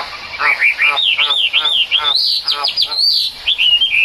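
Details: Rain-time song of a Chinese hwamei: rich, slightly rough whistled notes bending up and down in quick succession, ending with higher clear whistles.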